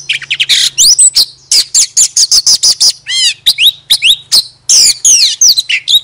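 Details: Oriental magpie-robin used as a decoy, tail fanned while singing, with quick chirps and whistles, a run of evenly spaced sharp notes, and one rippling, descending trill in the middle.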